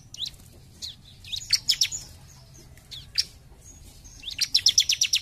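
A bar-winged prinia gives high, sharp chirps, then a fast, even run of about eight bright, clipped notes near the end. Only faint low background noise is heard.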